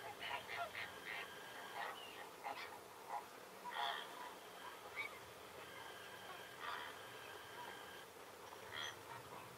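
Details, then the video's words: Flamingos at dawn in the Diaccia Botrona nature reserve: many overlapping nasal, goose-like honks with bright harmonics. Calls come in short bursts and stretched notes, over a steady high hiss. "Fenicotteri all'alba"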